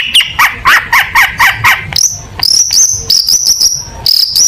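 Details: Contest-grade long-tailed shrike song for training other birds: a run of six rapid, rasping chirps, then a series of high, sharp whistled notes repeated several times in quick succession.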